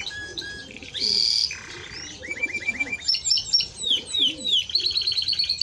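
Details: Song of a Timbrado Español canary, with a buzzy note, a lower rattling phrase and a run of repeated mid-pitched rising chirps, ending in rapid high twittering trills over a steady background hum.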